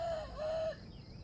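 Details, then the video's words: Trapped wild junglefowl and bait birds compete to crow: one gives a drawn-out, steady mid-pitched crow with a brief dip, cutting off after about seven-tenths of a second, against quiet background. "wild chickens compete to crow"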